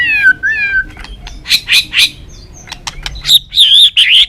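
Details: Lure recording of a white-rumped shama of the balak 6 type: a wavering whistled phrase, then a series of harsh, buzzy notes, ending in loud, rich warbles.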